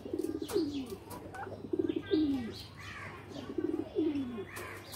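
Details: Pigeons in a loft, playing: low cooing phrases, a stuttered pulse run then a falling drawn-out coo, repeated about every two seconds, with faint chirps and rustling behind.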